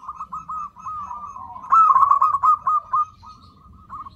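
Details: Zebra dove calling to lure in other zebra doves, a continuous rolling, trilled coo that swells into a louder stuttering burst of quick notes midway, then fades into softer coos.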